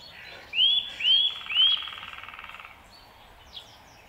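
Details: Eurasian nuthatch giving three quick upswept whistles, followed by a soft, rapid ticking trill that fades out, with a faint distant chirp near the end.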